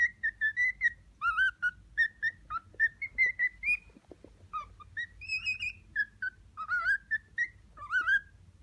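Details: Indoor male cockatiel aged six months serenading a female who ignores him: a steady string of short whistled notes, some rising and falling, roughly evenly spaced, with a brief pause midway and longer sliding whistles later.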